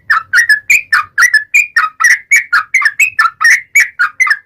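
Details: Yellow-vented bulbul singing a long 'ropel' song used as a lure to draw other bulbuls into full song: a fast run of bubbly, slurred whistled notes, each rising and falling, packed about five per second with no pause.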